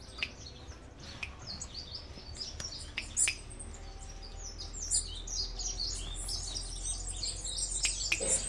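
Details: Cuban bullfinch singing in its cage while perched on a hand, giving a long, busy stream of high, sharp, twittering notes with a few louder clicks and a low background rumble.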